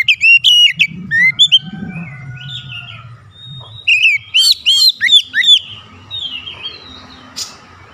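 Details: Oriental magpie-robin in a challenge exchange with a rival, which answers back; clear whistled notes at the start, a quieter murmur, then a bright burst of repeated sharp upswept whistles around the middle.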